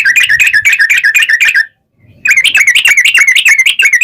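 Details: Ropel panjang, a long rapid trill, from a Yellow-vented Bulbul (trucukan) used as a lure: continuous quick rippling whistled notes, broken by a half-second gap, then resuming equally fast with slight low background noise.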